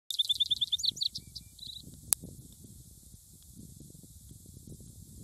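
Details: Singing vesper sparrow: a quick run of about seven short, high, clear notes, then a few slurred and buzzy phrases, ending after under two seconds. A sharp click follows, over soft low rumbling background noise.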